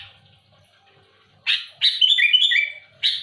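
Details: Loud sooty-headed bulbul song aimed at rival birds: after faint background sounds, a harsh chirp opens a fluid, bubbling whistled phrase, closed by another coarse chirp.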